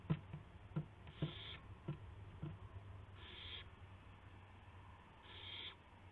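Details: Owl calling at night during a gopher delivery, April 7 2016 near 12:25 AM: sharp knocks and clicks at first, then two breathy hissing screeches about two seconds apart, with a low hum underneath.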